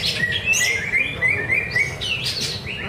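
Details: Greater green leafbird singing at a practice bird-singing contest by Danau Bumi Restu lake, Cikunir: rapid bright whistled phrases, slurred up and down, overlapping in quick succession with a busy background murmur.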